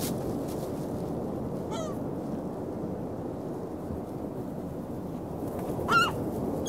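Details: Winter beach gulls on 27 February 2016, 19°F: two separate nasal, harmonic cries, one faint and falling early on, a louder sharp yelp near the end, against constant rushing surf noise.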